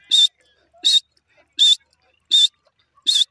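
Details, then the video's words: Grey francolin calls: five harsh, loud notes, each about a quarter-second long, repeated roughly every 0.7 seconds, with near silence between them. "grey teetar sounds 29mint teetar ke awaaz"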